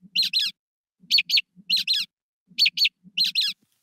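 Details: A mockingbird imitates an American robin's alarm call in quick bursts of high, sharp notes of near-equal pitch; the later notes differ in timbre from the first ones. A faint low murmur sits beneath each burst.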